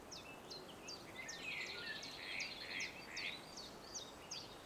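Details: Birds singing at sunrise on the Mavrovo lakeshore in Macedonia, with quick sharp descending chirps repeated about twice a second over a few fuller warbled notes, all against a constant low hiss.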